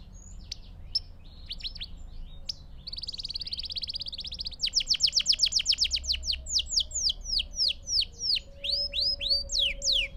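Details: Canary singing as a tutor for young birds: scattered notes, then a buzzy trill, a long run of rapid sharp notes, and slower, looping whistled syllables, with a faint low tone underneath.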